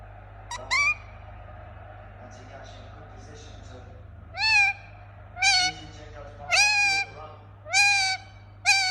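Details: Pet Indian ringneck parakeet giving loud, harsh, rising-then-falling squawks: one near the start, then five more in quick succession toward the end, with faint softer chatter between them and a steady low hum underneath.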